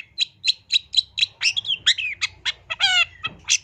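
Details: Long-tailed shrike master song packed with varied phrases. A row of evenly spaced scratchy chips gives way to slurred whistles, a rich harmonic squawk and a final sharp note. Low background hum.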